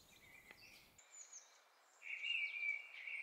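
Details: Mistle Thrush song, recorded with a homemade parabolic microphone: short, loud fluted whistles in brief phrases, ending in a strong, sustained ringing whistle, over a faint background hiss.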